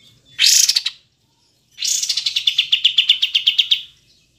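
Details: Kapas tembak, or cream-vented bulbul, recorded clearly for training kept songbirds: a short burst of harsh notes, a pause, then a long, fast run of clipped chirps, about four per second, ending abruptly.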